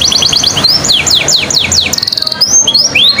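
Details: Canary singing as a prompt to start other birds singing: quick series of high, sweeping down-slurred notes, a brief fast rattle, then more looping whistles, over a faint steady background hum.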